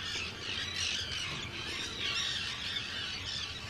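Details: Dense breeding colony of Arctic terns at Rottumerplaat in the Netherlands, 4 June 2023; many birds call at once, a steady wash of harsh screeching notes with a few clearer rising cries.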